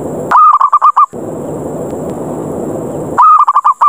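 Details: Zebra dove lure call in the 'ngerot ngayer' style, meant to challenge other doves to fight and draw them down: two bursts of fast, mellow, staccato cooing notes, each about seven beats, separated by a steady hissing noise.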